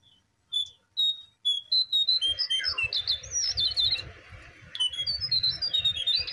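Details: Lure recording of brown prinia, meant to draw quick responses from wild or captive birds: sharp high whistled notes in a fast series, building into dense twittering with rapid repeated chirps over a low rumbling background.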